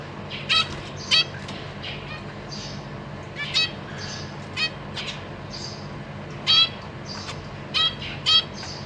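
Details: Zebra finches kept in a cage, parents feeding young, 14 April 2023: scattered short nasal beeps, some in quick pairs, over quiet rustling and occasional wing flutters.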